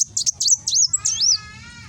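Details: Sunbird (kolibri wulung) in Gresik, East Java, singing in the fast nembak style used as a master for cage birds, on an Android phone: rapid high sharp chirps, then a sweeping twisted whistle with a lower faint tonal note beneath.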